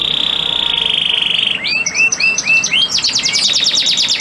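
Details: Captive male canary singing to stimulate a female in breeding condition to crouch and accept mating; a fast, high rattling trill gives way to a run of upslurred whistled notes, about five a second, then a rapid buzzy trill.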